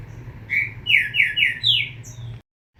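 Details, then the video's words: Whistled phrase from a young Green-winged saltator: one lone note, then four strong slurred notes, each gliding downward, before the sound cuts off abruptly into silence. "FILHOTE DO TRINCA FERRO"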